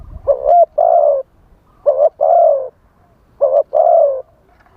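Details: Live decoy spotted dove calling to lure wild doves, wild-style voice: three repeated phrases about every 1.6 seconds, each a short clipped coo followed by a longer, hollow, level croon, against quiet surroundings.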